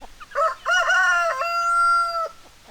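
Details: Rooster crowing: one loud, harmonic-rich cock-a-doodle-doo opening with two short rising notes, then a long steady held note that cuts off abruptly after about two seconds, over a quiet background.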